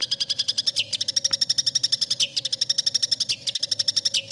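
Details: {'text': 'Long-tailed shrike song from a cendet masteran recording: a fast, almost unbroken chattering trill of high notes, about four per second, with brief dips in pitch and a faint steady hum underneath.'}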